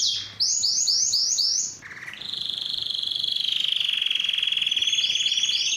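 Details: Canary song with quick repeated high chirping notes, a short pause, then a long lower sustained rattling trill that ends with a return to higher repeated notes.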